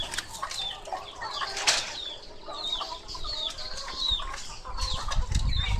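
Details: Laying hens in their coop, a mix of short clucks and squawks from several birds overlapping, with wing flapping and low rumbling noise in the background.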